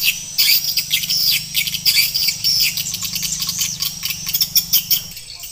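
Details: Swiftlets chattering in a lure recording, a 2021 updated mix with added roosting and pulling calls to draw birds into a nesting house: dense, overlapping high twittering chirps and short buzzy notes, fast and irregular, with a low hum underneath.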